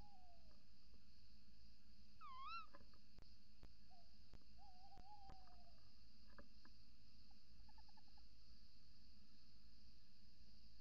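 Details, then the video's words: Tawny owl pair at dawn, 28 December 2018, female at the nest hole and male calling outside: a sharp rising-falling kewick-like note, several soft faint hooting notes and a brief short trill, with clicks over quiet hum. "Bosuil, V roept in vlieggat/op de cam, M roept buiten"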